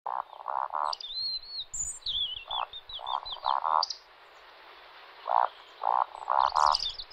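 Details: Male Eurasian woodcock roding, its courtship display flight at dusk in spring: low, froglike croaking grunts in groups of three, each followed by a thin, sharp squeak, with another songbird twittering faintly behind.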